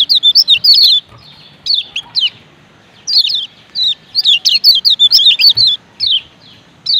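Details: Male and female lemon-bellied white-eyes of Lombok calling 'ciak ciak', a mix intended to make other white-eyes sing: bright, thin chirps slurring downward, delivered in quick runs and scattered singles.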